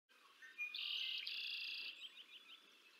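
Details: Bald eagle at the Decorah North nest, adult female feeding two eaglets, 20 April 2024, on a live nest camera: a thin, high squealing call held for about a second, then a run of short, quick chirps fading out.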